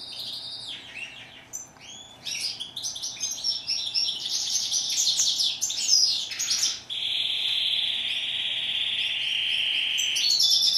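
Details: Goldfinch song: a busy run of high chattering twitters and buzzy notes for about six seconds, then a long, steady, drawn-out nasal buzz held for several seconds.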